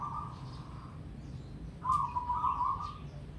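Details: Zebra dove (perkutut) song in a triple-ketek rhythm: a soft, rolling, low-pitched cooing trill in two bursts, the second longer and slightly louder, over a low background hum.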